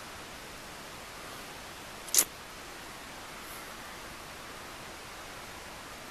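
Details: Even background hiss with a single sharp, camera-like click just after two seconds and no animal voices.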